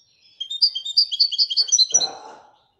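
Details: Royal European goldfinch giving a rapid run of sweet high twittering notes, with a brief low rustling knock near the end of the phrase.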